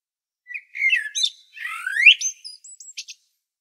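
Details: Common blackbird in Zagreb's Medvednica Mountain, Croatia, giving a gloriously varied phrase: low warbled whistles, a rising slurred note, then a string of sharp high clipped squeaks.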